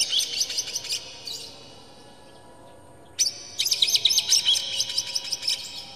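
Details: Oriental magpie-robin song meant to provoke other birds into agitated singing. A dense, rapid chattering phrase of sharp high notes breaks off into two seconds of near silence, then resumes with another fast, crowded phrase.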